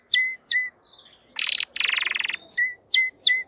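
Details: Crested canary voice: sharp dropping chip-and-whistle notes, two dense buzzy rattles in the middle, then three more evenly spaced whistled notes; faint background hiss.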